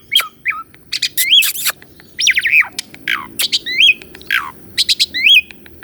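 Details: Asian pied starling, a full-variation masteran song for training a caged bird to sing; harsh squawky notes mixed with looping whistled slurs and buzzy bursts, irregular phrases with brief pauses.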